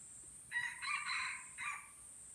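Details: Aceh red junglefowl in a crowing contest at Kuta Malaka, Indonesia, heard a little farther off. Its hoarse crow has four joined parts, with the longest in the middle and a short final note, over an insect drone and low rumbling background noise.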